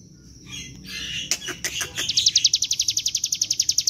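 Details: Bar-winged prinia song used as a lure to draw other birds into singing, in the energetic 'gacor ngebren' style: a few scratchy mixed notes, then a fast, even trill of sharp high chips, about four per second.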